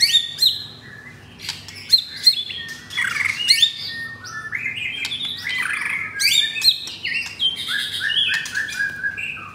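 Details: Rough-voiced 'materi kasar' song from a caged pied F4 White-rumped shama in Jakarta, Indonesia. High whistles and metallic chips come in spurts, then a dense run of descending slurred notes.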